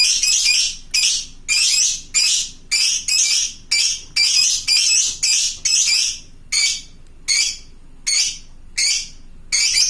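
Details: Fighter lovebird calling out to companions to draw answers from pet lovebirds: a steady run of shrill, high squawks repeated about twice a second, each burst harsh and bright.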